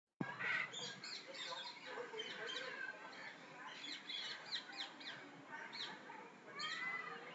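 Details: Noisy Red-and-green macaw at Bannerghatta Zoo, Bangalore, gives harsh, raspy squawks and rising screeches in bursts over a steady background of overlapping chirps and chatter from other birds.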